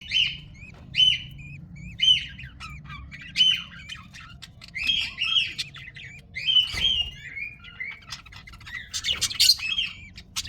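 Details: Budgerigar chicks, babies of a white budgie, give raspy, squeaky chirps in short bursts, about one each second.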